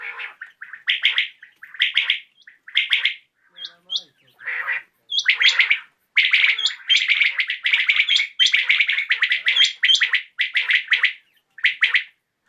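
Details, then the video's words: [['Common quail calling in the evening; a rapid sequence of sharp triple-note phrases, some softer at first, then a dense run of loud, clicky calls with occasional high squeaky notes.']] "COMMON QUAIL CALLING | BATAIR KI AWAZ | AJ SHAM KI RECORDING"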